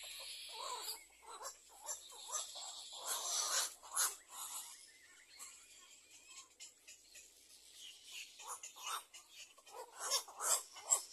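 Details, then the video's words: Little egret chicks in a nest, waiting for food, give harsh, wheezy, rasping begging calls in quick irregular bursts, several voices overlapping, over a steady high hiss. "Baby bird little egre waiting for food"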